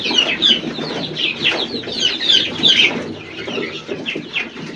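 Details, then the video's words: A flock of chicks with their hen, peeping in bright, downward-slurred notes that come in quick bursts and overlap, while quieter low clucking runs beneath and the chorus eases slightly toward the end. "فرخه . صيصان"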